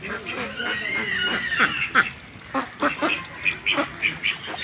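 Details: Farmed ducks on a pond give rough, nasal quacks, then a run of short, evenly spaced calls about every quarter second, with steady background noise throughout.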